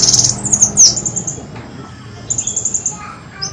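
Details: Sunbird lure call used to attract birds: thin, very high chirps and short twittering notes in quick bursts, with a quieter pause mid-way before more high rapid notes.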